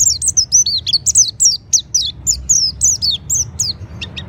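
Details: Mountain white-eye (Monty) song, hoarse but loud and clear; a fast run of high, sharp, twisting whistled notes delivered in a steady bursting stream, about two notes per second, over faint low hum.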